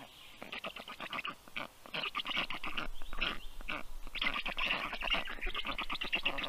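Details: Rescued black stork chicks, 30 days old, in a university veterinary clinic in Tartu, Estonia, being fed on 21 June 2022 at 3:35 p.m.; rapid rasping pulsed begging calls, uneven and overlapping, growing louder and denser later.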